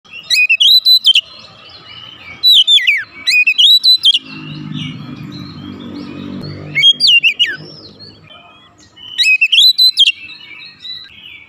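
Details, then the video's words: Oriental magpie-robin, agitated and provoked into singing its full repertoire: loud whistled phrases sweeping between high and mid pitch, delivered in bursts roughly every two to three seconds, with a low rumbling murmur partway through. "PANCINGAN cepat Kacer emosi bongkar isian"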